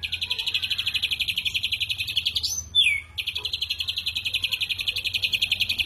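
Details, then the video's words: Ashy drongo giving a harsh 'shot' song: fast, rasping notes repeated almost four times a second, high-pitched and buzzy, broken midway by a short rising-then-falling swoop before the rapid series resumes. "Tembakan Kasar Srigunting Abuabu"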